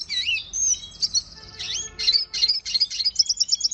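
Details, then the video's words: Red siskin training song: a fast, high twittering song of swooping whistles and buzzy notes, ending in a quick run of repeated chips. "Pintassilgo da venezuela cantando muito 2020 - Red Siskin training song"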